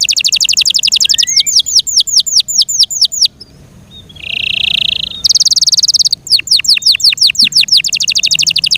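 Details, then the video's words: Yorkshire canary in care delivering a varied song of rapid high trills and downward-sweeping whistles, broken by a short pause with a soft buzzy note, then more fast rattling trills and swept whistles. "THE BEAUTIFUL SOUND OF FI YORKSHIRE CANARIES"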